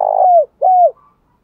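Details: Two drawn coos from a spotted dove used to provoke fighting and train decoys, each steady then sliding down at the end, the second shorter.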